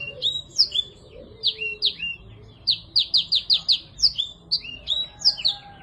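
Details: Lively black-throated canary singing in a recording used to coax silent birds back into song; bright whistled slurs alternate with a fast series of five buzzy repeated notes, then more rising and falling whistles over a quiet low hum.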